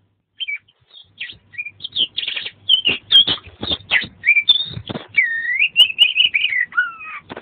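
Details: Oriental magpie-robin delivering full 'isian' kacer song in the 'gacor' manner. Scattered whistles build into a dense run of clear slurred phrases, rising and falling loops and harsh chatters, ending in a long drawn whistle.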